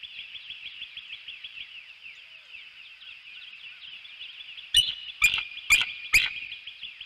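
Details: Young bald eagle, eaglet NE22, at a northeast Florida nest at wake-up giving a little beg, a thin, high, rapid chittering that runs on steadily, broken near the end by four loud knocks.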